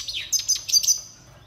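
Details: Red siskin (Spinus cucullatus) song used for song training: a brief burst of high, rapid twittering, with a falling slurred note followed by quick clustered chirps and short buzzy trills.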